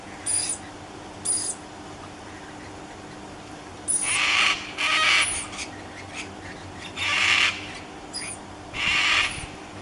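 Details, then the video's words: Scarlet macaws utter coarse, rasping screams, a few short and others drawn out about half a second, over steady background hiss. "Scarlet Macaws Papegaai"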